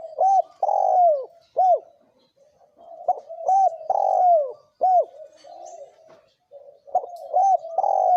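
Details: Spotted doves, male and female, cooing in the thổ kim style used to provoke wild doves: loud, arched coo notes in short phrases near one kilohertz, with softer trailing murmurs between them.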